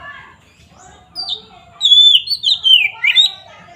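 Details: Oriental magpie-robin (kacer) singing in ngeplong fashion to rouse rival birds' emotions; soft opening notes lead into loud, clear whistled phrases sliding down, ending with chattering accents.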